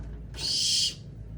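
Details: A young scops owl, one of several wild-caught owls being tamed, resting at midday, gives a single harsh, breathy hiss lasting just over half a second, with a faint low hum behind.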